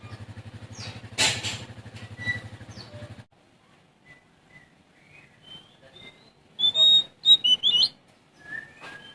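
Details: Oriental magpie-robin of Sumatra singing to seek a rival: a low engine hum at first, then soft rising whistles building into a louder run of bright whistled notes.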